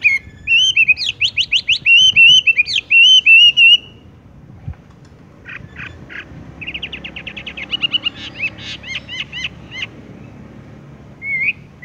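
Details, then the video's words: Horsfield's bush lark, 'tung roll gantung langsung ngerol' rolling song: a fast stuttering trill of high whistled notes, then a pause of a few seconds, then clicky notes and a second rapid trill, ending in a lone chirp. "wambie tung roll gantung langsung ngerol"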